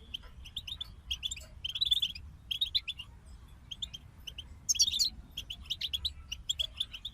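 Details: Group of European goldfinches singing: bursts of bright, twittering, liquid notes pitched high, with fast trills and some higher tinkling phrases near the end. The phrases are separated by short pauses, over a faint low hum.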